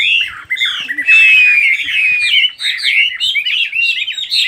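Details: Birdsong with a long, thin, clear whistle sliding gently downward amid squawky chirps, followed by a busy burst of rapid twittering notes.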